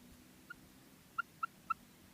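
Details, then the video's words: Female common quail (batair) calling: five short clear notes at a steady middling pitch, the first faint and the rest stronger, spaced about a quarter second apart, over a quiet low hum. "Female Batair Ki Awaz|Maadi Batair Ki Awaz new| Common Female Quail Calling"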